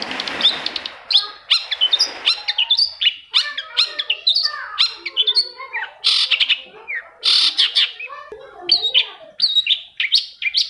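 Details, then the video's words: Long-tailed shrike song meant to coax silent shrikes into singing: dense chattering with harsh squawky notes, sharp clicks and slurred whistles, delivered almost continuously. "CENDET MACET SUSAH BUNYI PASTI NYAUT KETIKA MENDENGAR TOETAN BURUNG CENDET INI"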